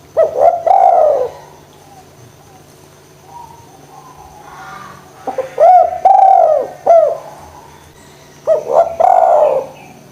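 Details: Spotted dove calling repeatedly, meant to lure reluctant doves into cooing. Three phrases of short stuttered notes each run into a long, deep, mellow coo, separated by quiet gaps with a low hum.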